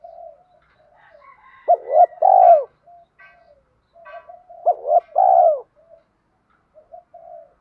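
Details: Spotted dove coos for training and luring doves: two phrases of clipped notes swelling into a long burred coo, separated by softer low murmuring, with faint higher chirps in the background.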